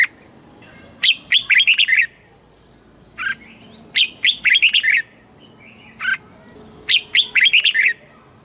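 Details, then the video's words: Red-whiskered bulbul from Thailand in southern master-song style, played to excite and tutor caged birds: three near-identical rapid phrases of six or seven bright chirps, each introduced by a lone note. "เสียงนกกรงหัวจุก สำหรับต่อ หรือ เปิดให้นกคึก"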